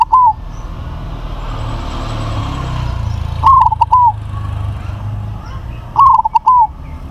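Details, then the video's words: A crossbred zebra dove with a big voice sings three coo phrases roughly every three seconds, each with quick stuttered notes closing on a drawn-out falling coo, against passing traffic. "PERKUTUT CROSSING SUARA BESAR"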